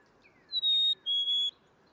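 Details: Black-capped Chickadee singing its clear two-note spring 'fee-bee' song: a pure, high whistle followed by a slightly lower, steady second note, each lasting about half a second.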